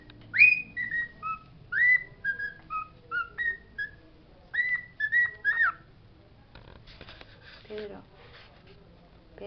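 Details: Pet parrot singing the words it knows, indoors: a rapid run of about a dozen short whistled notes jumping between pitches over six seconds, followed by faint rustling and a brief descending sound.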